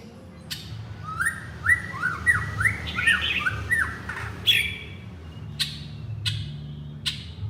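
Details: White-rumped shama male calling his partner: a rapid series of short paired whistled notes, repeated about every half second, then a harsh rising note and a few sharp clicks.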